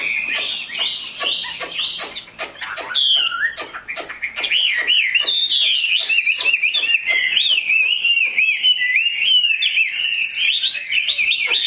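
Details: Large caged Chinese hwamei singing: a burst of sharp staccato clicks and short whistles, then a long fluent stream of rolling, warbled whistles rising and falling quickly.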